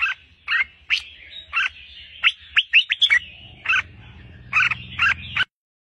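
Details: Red-whiskered bulbul, an albino bird kept hand-tame, singing spaced, clear slurred whistles that speed into a brief trill. After that it gives several louder paired notes, while a low rumbling noise rises underneath before the sound cuts off.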